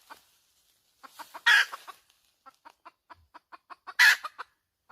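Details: Chicken hen cackling: evenly spaced short clucks building into two loud, coarse squawks about two and a half seconds apart, with quiet, clean background.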